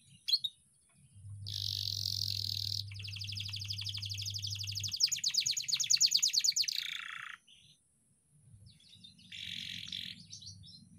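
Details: Canary singing for young canaries to learn from; a long fast trill of high buzzy notes after a brief whistled phrase, with a steady low hum beneath and a short quieter burst near the end.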